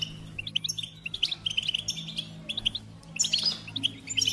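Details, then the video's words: Singing goldfinch giving scattered high tinkling chirps and short twittered phrases, growing denser and louder toward the end, over a soft low hum. "Golden Melodies in Motivation Experience the Goldfinch Singing"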